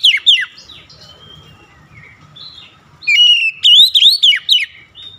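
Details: Lively oriental magpie-robin song meant to draw quick replies: it opens with sharp falling whistles and soft scratchy warbles, then a loud run of rising and dipping whistled notes near the end.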